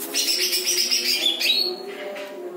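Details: Greater green leafbird singing a chatty song with lovebird-style phrases: a continuous, dense stream of high twittering and trilled notes, with a steady low hum underneath.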